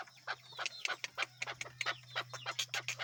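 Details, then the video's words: Tame male desi chukar, let loose to roam outdoors, giving a quick run of sharp clucking chuck notes, about three or four a second, over a steady low electrical hum. "Keklik Sesi || Chukar Desi Chakor ki Awaz"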